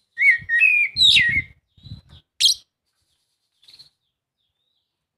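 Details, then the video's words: Oriental magpie-robin singing to prompt a quiet bird to join in: a long steady whistle rolling into a higher twisting phrase, then scattered soft notes, a harsh chirp and a long silence. "Kacer mana yang gak lasung bunyi dengar suara kacer ini"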